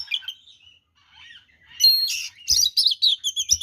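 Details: Oriental magpie-robin in energetic full song meant to provoke rival birds into aggression: thin whistled phrases near the start, then a loud burst of rapid, harsh, chattering notes and sharp high whistles, with a few low thumps.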